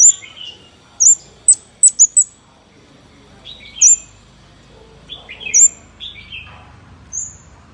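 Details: Scarlet-backed flowerpecker lure call: sharp, high thin chirps and ticks in quick bursts, some paired, with lower buzzy notes between, spread over several seconds against a quiet background.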